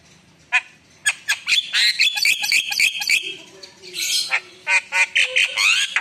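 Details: Javan myna in full, vigorous song (gacor) rich with fillers (isian): harsh squawks and rapid buzzy chatter, dense ragged bursts broken by a short pause, then clipped whistled notes and a rising squeal.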